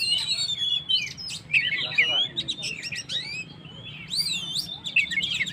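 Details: Oriental magpie-robin in energetic song, used to provoke and rouse stressed birds: varied whistled phrases and rapid chattering notes, with sliding whistles and clicks through the clip.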